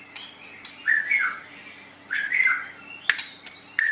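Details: Recording of a white-rumped shama used for training other birds; soft, somewhat distant warbled phrases separated by pauses, with faint steady background hum.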